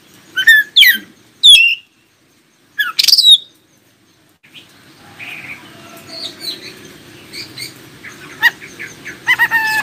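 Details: Oriental magpie-robin singing, used to make other magpie-robins answer and sing: a few loud whistled and scratchy notes early on, then softer varied chirps and twitters over a low background hum.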